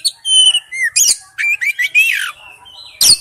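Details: Oriental magpie-robin singing wild-type song, steady whistled tones and slurred phrases, a squeaky wavering section, and a sharp harsh note at the end.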